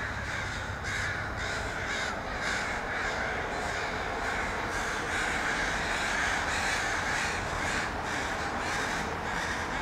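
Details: Gathering flock of crows in a tree in Vancouver, Canada, iPhone 5S recording. Loud, hoarse cawing from numerous birds runs continuously, with distinct harsh calls standing out every half second or so above a dull hum.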